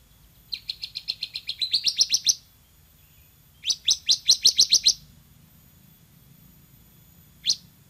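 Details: [2, 'Bar-winged prinia, loud and lively: a long run of about fourteen rapid, high, buzzy chirps that climb slightly and strengthen, then a second burst of about nine, and one lone note near the end.']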